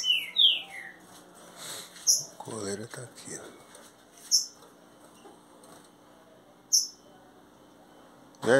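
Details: A green-winged saltator, newly acquired 30 days ago, sings loudly from a flight cage after starting soft songs at 11 days. It opens with a few clear, falling whistles, then gives sharp high notes every two seconds or so, with a man speaking briefly in between.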